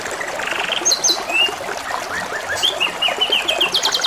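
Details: Singing canary over trickling water, giving soft buzzy rolls, a few clear high whistles and a closing run of quick repeated chips.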